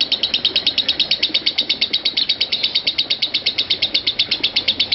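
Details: A lovebird keeps up its ngekek, a long series of bright, clipped chirps at a fast, regular rate, offered as master audio to help train lovebirds to ngekek longer.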